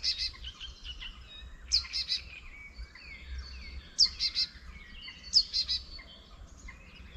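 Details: Wild birds singing in spring at the edge of a quiet countryside village near a small wetland; loud bright chirped phrases burst out about every one to two seconds over an overlapping chorus of thinner whistles and trills, with a faint low rumble.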